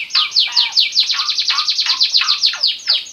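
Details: An Asian pied starling from Lampung sings a fast, loud run of sharp, down-slurred whistles and chatters, about four notes a second, high-pitched and scratchy.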